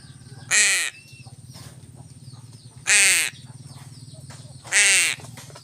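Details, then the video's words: Crow fed with fish utters three evenly spaced harsh caws roughly two seconds apart, each brief and raspy, over a constant low mechanical hum. "BURUNG GAGAK"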